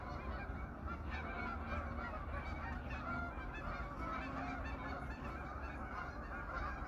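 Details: Geese returning to their pond for the evening in autumn, a large flock whose overlapping honks merge into a continuous noisy babble above a strong low hum.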